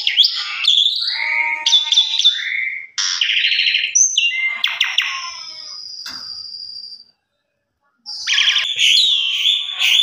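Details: Asian pied starling (jalak suren) song used indoors as a lure to get birds singing fast: varied chattering and harsh buzzy phrases with harmonic whistles, a long steady high whistle, a brief silence, then renewed rapid scratchy chatter.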